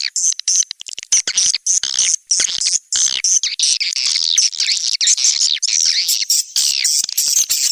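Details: Playback for swiftlet houses named SP Anak Gembala, from Indonesia, used outdoors in Sóc Trăng and Đắk Nông, Vietnam: many high squeaky chirps overlapping, growing into a dense continuous twitter.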